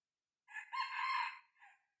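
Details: Red junglefowl cockerel aged six months, used as a decoy to attract wild junglefowl, crows from somewhat farther off, softer: a short lead-in, a sustained strained middle note and a separate quick trailing syllable.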